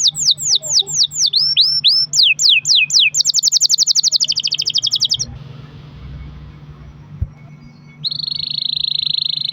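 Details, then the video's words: Canary song for prompting other canaries to sing: quick descending whistles run into a rapid rattling roll, then a pause with low rumble before a steady high trill resumes. "kenari gacor ROL PANJANG buat pancingan kenari agar bunyi"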